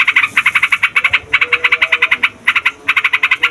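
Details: Yellow-vented bulbul (trucukan) in noisy, long rolling song used as a lure for trapping wild birds: rapid chattering bursts of bright notes, each burst a few tenths of a second, separated by brief pauses.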